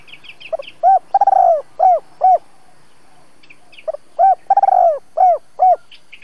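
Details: Spotted dove used as a trapping lure in Vietnam, double-voiced style, calling to provoke wild doves. Two phrases of low hooting coos: short rising notes, a long drawn coo, then clipped coos, with faint higher chirps from other birds.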